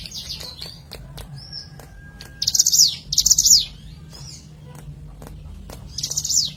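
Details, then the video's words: Hill prinia used as a lure: soft high whistles and clicks, then two loud bursts of rapid, shrill chattering notes with falling endings, a pause, and one more burst. "Pancingan CIBLEK GUNUNG Suara Asli Alam"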